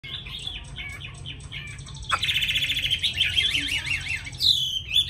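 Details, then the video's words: Tame caged Chinese hwamei from Hanoi, Vietnam, sings readily in a fine voice: rapid high whistled phrases, then a louder rising-falling warbled run and a final sharp slurred whistle, with low background hum. "Mi thuần cb98123 giọng rất hay mau mỏ"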